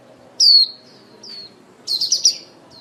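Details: Female white-eye used as a lure bird for trapping, calling the flock: a short high downslurred chirp, a few faint thin notes, then a quick run of three bright descending chirps.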